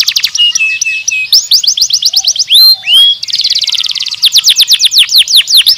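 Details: Canary in full song, same repeated song: rapid high trills, two loud downslurred whistles in the middle, then a buzzy roll and another fast run of sweeping notes, close and clean.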